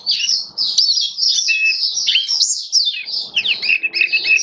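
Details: Oriental white-eye, kitaro type, caged and tested for song display, pouring out a long, high, twittering song with slurred whistles and quick downward chirps, ending in repeated short notes.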